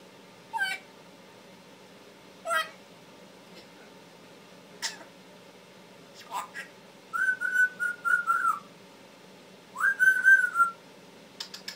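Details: Male pet Timneh African grey parrot that talks, cusses and coughs: a string of short chattering calls spaced about two seconds apart, then two loud wavering whistles held near one pitch.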